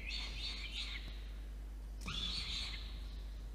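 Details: Peregrine falcon chick being fed by the adult male at night, water-tower nest box, Orange, NSW, 5 November 2021, nest camera; two raspy, high begging wails about a second long, separated by a short pause.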